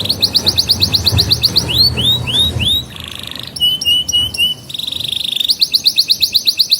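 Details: Canary song played to teach young canaries: fast high trills, a run of falling swept notes, a flat buzzy tone, then more rapid rolling trills.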